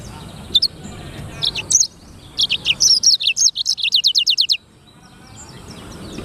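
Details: Black-throated canary, locally called sanger, in full, prolific song recorded as clean training material: a few scattered high chirps, then a fast run of about fifteen sharp, downslurred notes repeated evenly for two seconds before stopping.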